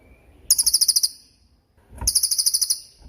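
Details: Cililin tutor recording for young and molting songbirds: two short, separate bursts of a sharp, high, rapidly pulsed trill, with a faint thump between them.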